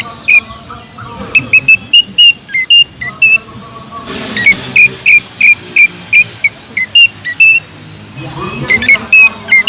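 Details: Greater green leafbird singing hard to draw song from other cucak ijo: repeated loud, sharp whistles, often one every half second, with a lower warbled phrase at the start and a soft hiss in the background.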